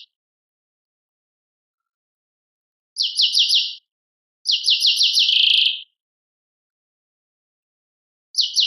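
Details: Goldfinch singing in the Algerian Tadmait style: short bursts of fast, metallic stuttering notes, one ending in a buzzy trill, spaced by silent gaps of one to three seconds.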